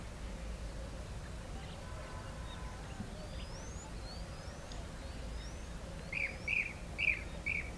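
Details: European bee-eaters at a nest colony give four short, rolling, liquid calls, about two a second, near the end; thin high rising whistles come earlier over a steady low rumble.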